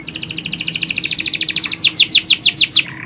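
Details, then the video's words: Canary colony with females calling to males and a male singing hard; a long rapid rattling trill of high chips flows into a row of louder sweeping whistled notes, roughly six per second. "Kicauan Kenari Koloni Jantan&Betina!"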